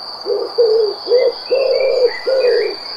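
Eurasian collared dove giving low, hollow coos in a steady run of five, the longer middle note drawn out. A high, steady insect-like whine and faint chirps of other birds sound behind.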